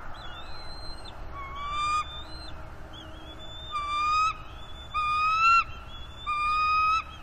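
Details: Bald eagle youngster guarding fish from its parents on a northeast Florida nest, April 19, 2021. It gives rich whistled squeals about once a second, each slightly rising and ending abruptly. A quieter background lies under the calls.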